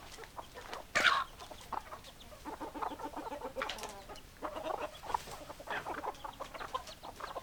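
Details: Hens clucking together in a flock, low murmuring clucks running throughout, with a sharp louder squawk near the first second and brief bursts of busier clucking later on.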